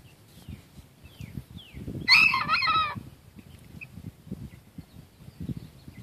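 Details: Nine-week-old young cockerel crowing: one short, hoarse, rough-edged crow lasting under a second, loud against quiet background, with faint thin chirping and soft low thumps before and after.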